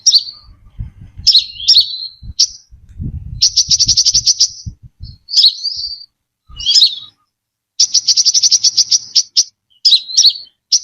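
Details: Brown-throated sunbird lure song: high thin twittering phrases alternating with fast, even buzzy trills of rapid repeated ticks, scattered pauses between phrases, with low thumping knocks underneath at times.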